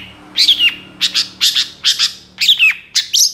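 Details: Young long-tailed shrike in moult, from a lure recording of full, varied song; harsh double-noted chirps repeat roughly every half second, some with a downward-slurred whistle, over a faint low hum.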